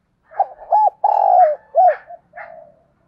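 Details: Spotted dove cooing to provoke a fight: soft stuttering notes, two arched coos, a long level coo sliding down at its end, then a quieter trailing note, all low and mellow in a quiet, enclosed setting.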